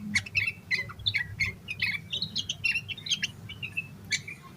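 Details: Yellow-vented bulbul singing energetically as a lure for other bulbuls. Bursts of clipped chirps and brief warbled notes in rapid succession over faint low hum.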